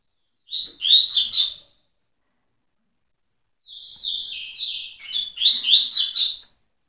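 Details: Double-collared seedeater song in two phrases: high twittering and buzzy notes, a short burst followed by silence, then a longer phrase of steady buzzy notes running into a rapid trill, in a quiet setting.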